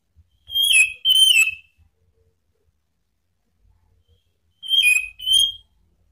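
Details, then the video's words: Orange-headed thrush lure call from Indonesia, meant to provoke rivals into free singing (ngeplong): paired whistled notes falling slightly, given twice with about three seconds of quiet between the pairs. "SUITAN ANIS MERAH MEMANCING LAWAN JADI NGEPLONG"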